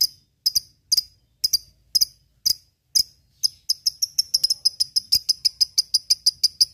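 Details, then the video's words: Lovebird in ngekek song, used to provoke rivals and prime fighter birds: sharp, high clicking chirps, first spaced about half a second apart, then speeding into a fast, even chattering run. "SUARA LOVEBIRD NGEKEK MEMANCING LAWAN"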